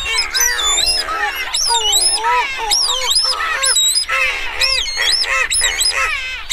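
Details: Streaked shearwaters (Calonectris leucomelas) calling and singing, giving nasal, wavering wails that rise and fall, several birds overlapping in a steady chorus with no pauses; the species is noisy at breeding colonies, on the ground and in flight.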